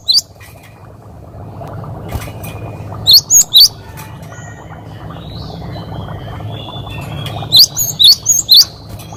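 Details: Cinereous tit singing a 'wucit wucit' variation as a tutor recording for other birds. Short phrases of three or four thin, high, whistled notes come twice, over a constant low droning background hum.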